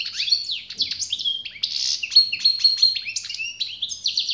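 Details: European goldfinch singing a loud, dense, uninterrupted twitter of chirps, buzzy notes and short thin whistles, high-pitched and rhythmically jumbled.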